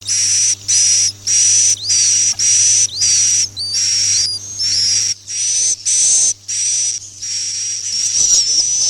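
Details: Swiftlet lure sound for swiftlet farming, the "Masal" roosting call: harsh hissing chirps repeated almost twice a second, each overlaid with a thin high whistle, and a steady low hum beneath.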